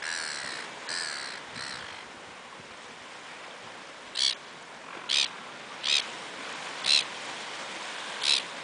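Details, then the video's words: Fighting gulls on the Australian coast in June 2011: a few faint cries, a pause, then a run of five loud, clipped squeals roughly a second apart, with constant wave noise behind. "Gaviotas Angry birds"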